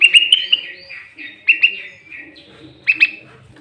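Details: Sooty-headed bulbul calling to lure other bulbuls: clear whistled phrases of two to three sharp notes, repeated about every one and a half seconds, each trailing into softer slurred whistles.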